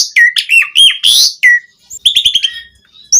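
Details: Asian pied starling, captive-training recording in lively full-variation style, used as a master and lure for kept starlings: loud scratchy and whistled notes sliding down around mid pitch, a rapid buzzy burst, a pause, then a run of quick repeated chirps.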